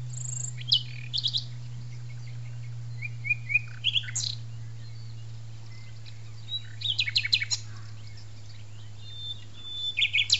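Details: Nightingale song at La Petite Loiterie arboretum: scattered whistles, short slurred notes and a quick burst of repeated high notes, separated by pauses, over a steady low hum.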